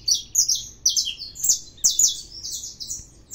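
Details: Saffron finch in full song, delivering rapid high sharp chirps and short buzzy sweeps in a run of about eight bursts over three seconds, clear against a quiet background.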